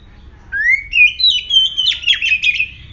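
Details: Fierce oriental magpie-robin singing, meant as a lure to draw other magpie-robins into song. A long rising whistle leads into rapid chattering, trilled notes repeated several times a second.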